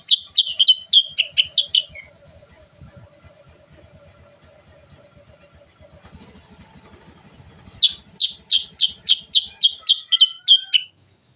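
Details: Sooty-headed bulbul (kutilang sutra) in energetic rolling song used as a lure for other bulbuls: two bursts of rapid, evenly spaced sharp chirps, about nine notes each, separated by a pause with a faint steady hum and low rumbling.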